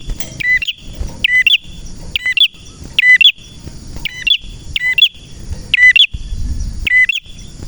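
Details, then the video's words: Steady series from a male red prinia (prenjak merah): sharp, high, doubled chirps with crisp snaps, repeated about once a second throughout. "Prenjak Merah Gacor cocok untuk masteran dan pancingan prenjak bahan ‼️prenjak birds singing ‼️"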